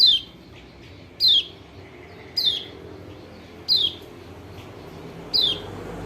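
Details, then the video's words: Kecial kuning white-eye of Lombok calling as a lure for a bird that will not sing: five crisp, falling whistled notes at uneven intervals of one to one and a half seconds, little background noise. "PANCINGAN TERBAIK BUAT PERANSANG KECIAL KUNING MALAS BUNYI ( burung pleci lombok)"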